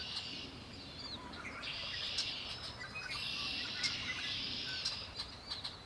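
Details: Lake Erie birdsong: several high buzzy trills follow one another with short gaps, mixed with brief thin chirps and faint low background noise.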